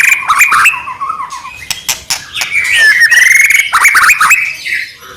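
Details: Caged white-rumped shama singing loudly to provoke other shamas: varied mimicry-like phrases mixing harsh squawks, rapid trills, clicks and clear whistled slides, delivered in quick succession.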